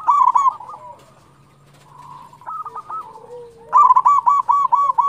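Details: Local zebra dove singing strongly, recorded to encourage other doves to sing: a burst of quick coos opens, a hushed stretch of faint cooing follows, then a long, loud run of about eight ringing, evenly spaced notes.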